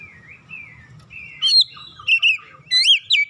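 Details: Home-kept Oriental magpie-robin, after hearing another bird, sings in ngoyak style. Soft wavering whistles build into a few loud, sharp, high rising notes in short bursts, over a faint low rumble.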